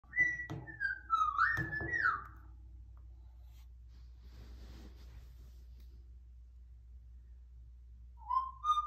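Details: Cockatiel (Nymphicus hollandicus) learning to sing and whistle: a short wavering tune of clear, sliding notes, then a pause and a brief rising whistle.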